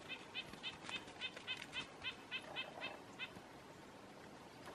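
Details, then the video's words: A male Red-breasted Nuthatch, one of a pair in a bush, calls while chasing the female, giving a quick series of about eleven short, nasal, tinny notes, roughly four a second, over faint background hiss. "Male Calling Female Redbreasted Nuthatch"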